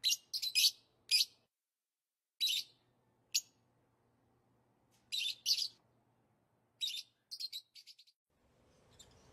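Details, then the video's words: Lovebird calls come as shrill, high chirps in short clusters of two to four, separated by brief pauses, with a faint low hum behind and a soft rustle at the end. "Love birds sounds"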